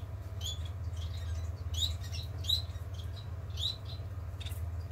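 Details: A society finch, one of a pair, recorded 14 October 2020, gives about six short, high, thin chirps at uneven intervals over five seconds, above a steady low indoor hum.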